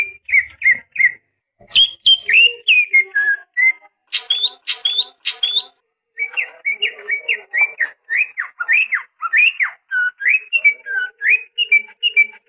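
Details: Song of a greater green leafbird, meant to get young birds singing: varied whistled notes, rising slurs and short high chips, delivered in quick bursts with a brief pause midway.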